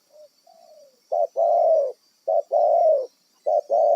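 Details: Wild spotted dove used as a decoy for trapping. After a faint opening it gives low, hollow coos, each a short note followed by a longer drawn-out note. The two-part phrase is repeated three times at about one-second intervals.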